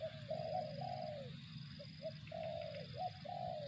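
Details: Cooing spotted dove with rapid back-to-back phrases: stuttered short notes and sustained falling coos, over a low steady rumble and faint high-pitched tone.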